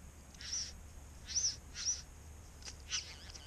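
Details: Male satin bowerbird in eastern Australia calling in courtship from his decorated bower and dance arena in the bushes, caught by a hidden camera: buzzy, rasping high bursts roughly every half second, then fainter warbling notes.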